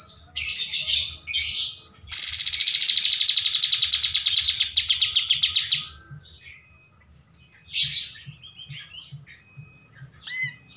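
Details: Kapas tembak bulbul singing energetically for masters: chatter, a loud rapid trill sliding downward for several seconds, then scattered short whistles and squeaky notes.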